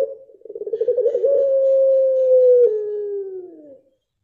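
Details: Single extended coo of a blorok pelung dove: a rapid pulsing rattle speeds up and merges into a smooth sustained tone lasting over two seconds, then steps lower and trails off into silence.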